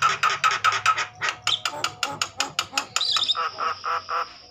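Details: Javan myna in an agitated state, singing to prompt other mynas into song: rapid repeated harsh clicking notes about five per second, then a steady high whistle trailing off under further raspy pulses.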